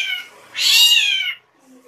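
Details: Drongo giving an unusual call: a drawn-out, raspy, cat-like mew lasting nearly a second, preceded by a fainter nasal note.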